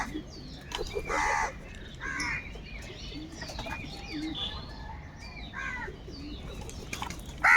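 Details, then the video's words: Crows fighting for food give four short, hoarse caws spread across the recording, one each at roughly the first, second, sixth and last seconds, amid busy twittering of other birds. "Kaka sound and noises of Crow birds | All types of Crow sounds | Very loud voice of Crow sound"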